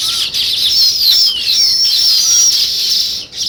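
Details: Natural recording of sparrows and weaver birds: a continuous, dense mass of shrill chattering and thin whistled slides, loud and unbroken, easing briefly near the end.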